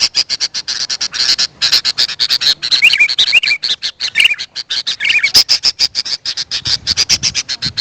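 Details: Sooty-headed bulbul calls used as a lure for wild birds: steady, rapid clicking chatter, broken in the middle by a few short, wavy whistled notes.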